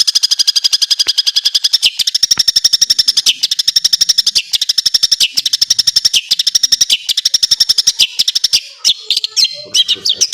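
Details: Long-tailed shrike master song for training other birds, full of filler phrases: a long, fast, pulsing high trill broken every second or so by brief sharp notes, closing with scattered varied chirps.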